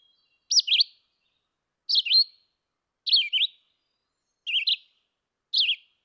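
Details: A Red-eyed Vireo sings five short, slurred, high whistled phrases, each under half a second, with pauses of about a second. This is its "here I am, where are you" song, higher pitched and faster than the Yellow-throated Vireo's. No other sounds.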